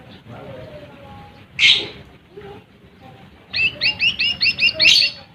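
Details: Lesser green leafbird singing to provoke rival birds; after soft background bird chatter and one sharp note comes a quick burst of six or seven bright chirps.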